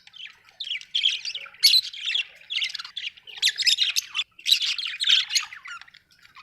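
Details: Home budgerigars keep up a steady stream of harsh squawks and scratchy chirps in irregular bursts, with no other sounds.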